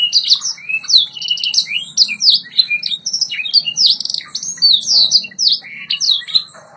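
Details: Steady, energetic song of a white Yorkshire canary from a training recording, quick high chirps and downward-slurring whistled notes repeated in an unbroken rhythmic chatter, with faint low hum beneath.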